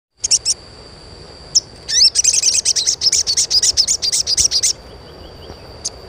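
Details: Asian pied starling chirping, used as a lure to get young untrained starlings singing; a few isolated high chirps, then a rapid run of sharp, buzzy chirps repeated about twice a second, over a steady high tone and faint background noise.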